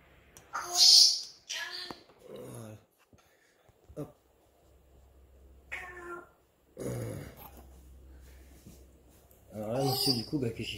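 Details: Pet grey parrot indoors, screaming so as not to be forgotten: loud harsh screeches and squawks in separated bursts, some with rich layered tones, with quiet background hum between calls.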